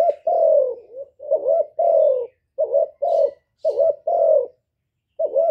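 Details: Loud spotted dove cooing, recorded live without background noise and used as a lure to stimulate caged doves to sing: deep, mellow coos in groups, each slightly falling, with short pauses between phrases.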